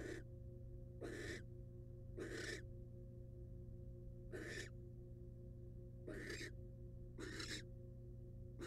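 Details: Wild barn owl mother returning to her eggs in a nest box after devouring a mouse; seven breathy, grating hisses in quick irregular succession, some paired closely, over an unbroken low hum.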